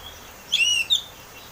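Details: Oriental magpie-robin song meant to prompt a caged bird to sing: one short, clear whistled note with a sweeping higher overtone, followed by a brief high chip.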